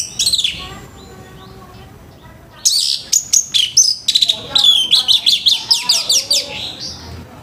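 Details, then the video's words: Orange-headed thrush morning song meant to set other birds singing: a short opening phrase, a pause, then a long run of rapid, harsh, clipped notes repeated in quick succession. "ANIS MERAH NGEPLONG PAGI‼️SUARA KASAR BIKIN ANIS MERAH BAHAN CEPAT BUNYI‼️"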